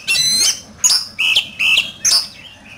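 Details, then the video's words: Competitive singing of an oriental magpie-robin: five separate bursts, harsh buzzy chatters alternating with steady high whistled notes, about one every half second. "Chòe Than,Bộ Đẹp,Hót Đấu Căng Lửa"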